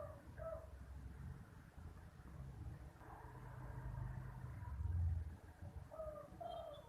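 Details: Derkuku, the spotted dove, calling in the 'kuk 2' style: two mellow coos open the recording, and a further pair of coos comes after a long gap filled with steady low rumble.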